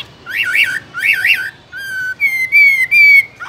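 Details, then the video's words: Chinese hwamei kept in a cage, singing two wavering, warbled phrases, then a low flat whistle and three higher sustained whistled notes with rich overtones. "Làm thế nào để nuôi được chú họa mi hót như này"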